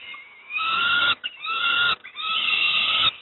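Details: Harsh begging cries of young peregrine falcons being fed breakfast at Moszna, Pruszków, Poland; three grating, drawn-out screams, each lasting under a second, separated by short breaks.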